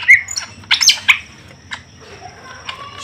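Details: Greater green leafbirds during a pairing attempt between male and female give harsh, chattering squawks and short bright chirps in quick bursts, then sparser notes over a faint steady high whine.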